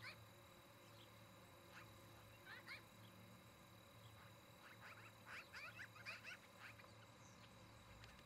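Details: Osprey pair at their nest near tree tops in Charlo, Montana, on a nest camera, evening of 17 August 2018: rapid runs of sharp, high chirping notes in bursts, clustering densely midway, over a steady low hum.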